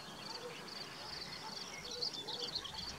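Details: Corn bunting singing far off at Rači Potok, Košice, Slovakia, on 25 May 2019: a dry, high jangling trill like rattled keys that swells briefly, over a steady thin background hiss.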